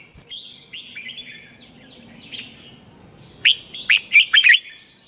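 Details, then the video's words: Morning song of a red-whiskered bulbul, played as decoy for voice training; soft slurred whistles at first, then a loud run of five sharp, rising-falling whistled notes in the final second and a half. "luyện chào mào hót sáng, Hót hay KÍCH BỔI NHANH CĂNG LỬA"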